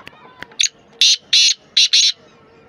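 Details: Black francolin (kala teetar, Sindhi teetar), recorded 10 November 2024, gives a grating call of four rasping notes in two pairs after a few faint clicks and a short squeaky note, with a low steady hum underneath.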